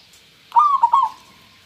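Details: One clear, soft phrase from a local zebra dove: a rising whistled coo followed by two quick pulsed notes, lasting about half a second, against a faint steady hiss.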